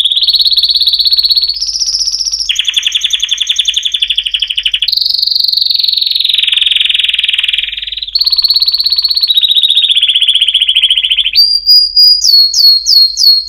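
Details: Canary song in a chain of rapid trills, each held a second or two at a different pitch, some rolling and buzzy, closing with sharp, quickly repeated upswept notes.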